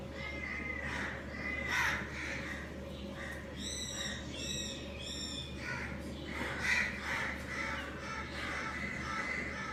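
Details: Breeding pair of budgerigars, or Australian parakeets, chirping: thin whistled notes at first, then three harsh, richly layered chattering calls in quick succession, followed by softer warbled chirps over a steady low hum.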